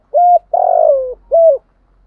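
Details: Spotted dove cooing used as a lure for trapping, thổ sấm voice style: a short level coo, then a long trembling coo sliding downward, then another short coo, all low and clear.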